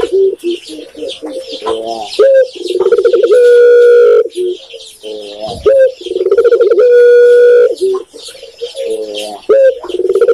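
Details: Indonesian spotted dove, locally tekukur, sings its low cooing phrase three times in succession. Each phrase pairs a rising note and pulsed rolling coos with a long steady held tone. Faint higher chatter sounds in the background.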